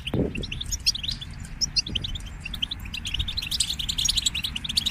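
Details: European goldfinches chorusing, group song meant to encourage singing during moult; scattered high tinkling chirps and short trills over noticeable low rumbling background noise, with a thump near the start.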